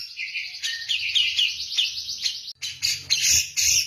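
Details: Javan-type grey-cheeked bulbul song in the persistent 'kapas tembak' manner: quick chattering whistles over a low hum, ending in harsher, scratchy bursts.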